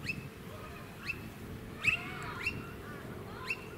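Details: Suburban Sunshine Coast, Queensland, March 2018: a blue-faced honeyeater (Entomyzon cyanotis) gives piercing clipped upward notes, about five in under four seconds, roughly evenly spaced, above a low background hum.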